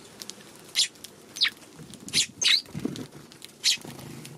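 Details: March 16 afternoon at a feeding spot, with tree sparrows cautious about a Godzilla figure placed nearby; sharp, bright chirps repeat at irregular intervals, five or six in all, with light pecking and pattering between them.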